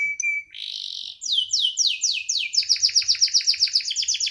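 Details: Canary song opening with a thin whistle and buzzy trill, then descending swoops and a fast repeated chirping roll about four notes per second.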